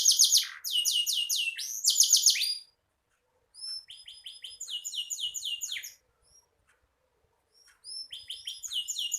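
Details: Canary song in bursts: loud rapid falling trills, a pause, softer high whistles and quick notes, silence, then trilling resumes.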